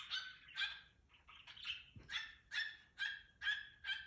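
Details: A pet cockatiel singing and dancing in the morning gives a rapid series of harsh, raspy chirps, roughly two per second.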